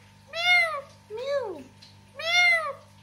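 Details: Talking parrot kept as a pet voicing three meow-imitating calls: two even arched ones framing a lower, steeply falling note, with a steady background hum.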